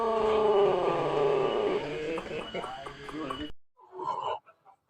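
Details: Pelung rooster from Plered, Purwakarta Regency, crowing a sustained harmonic note that slowly falls in pitch over about three seconds. The sound cuts off abruptly, followed by faint muffled noises.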